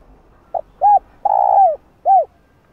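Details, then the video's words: Spotted dove calling in the gáy style used to lure wild doves: a faint clipped note, then a short arched coo, a long drawn-out coo sliding downward, and a final short arched coo. Deep, mellow, and clean, with quiet background. "Cu Gáy Giọng Hạp Bổi Đủ Bài [ GÁY GỌI + THÚC + Gù ] Kích Cu Gáy Bổi Gáy"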